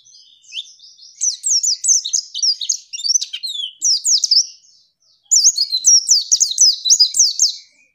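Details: Female white-eye (pleci) calling to provoke a male into answering and singing: rapid high twittering of bright, sharply slurred chirps in quick bursts, a brief pause near five seconds, then another dense run of chirps.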